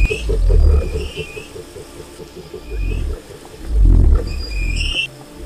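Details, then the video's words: Deep low rumbles from a wild cassowary, a big flightless ratite, with two loud booming swells. A pulsed rhythmic chorus and scattered whistled bird notes run underneath. "O Canto do Casuar Selvagem"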